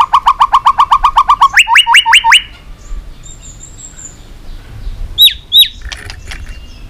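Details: White-rumped shama in intense competition singing with long forest-style phrases: a fast rattle of about fifteen repeated low notes turning into rising upswept notes, a pause, then two sharp high whistles.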